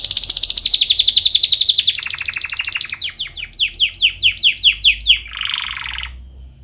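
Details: Chick-training canary song: a slowly falling rapid trill, a buzzy double-toned roll, a series of crisp downward-swept whistles, then a soft low rattle fading out.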